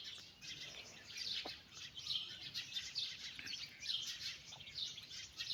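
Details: Many young chickens accompanying a mother hen on a walk peep constantly, with a steady wash of high, sharp cheeps and no pauses.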